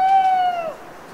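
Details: Night owl in an autumn wood of the Cévennes foothills, France, after rain: the end of a steady, clear hooting note that slides downward and fades, with rich overtones, against a quiet wet-forest backdrop.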